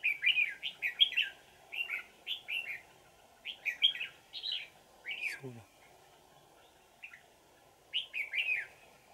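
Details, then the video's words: Wild old red-whiskered bulbul with a ringing, twisting forest voice, trapped with a decoy on 20 December 2018: repeated short chirpy phrases of bright notes, a brief pause, a low sliding sound, then more phrases over a steady hum. "Bẫy chào mào Già rừng giọng chuông xoắn tít"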